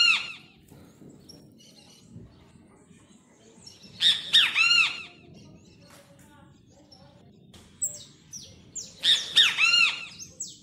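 A great kiskadee gives loud, harsh three-part phrases about five seconds apart, with thin high notes from another small bird between them.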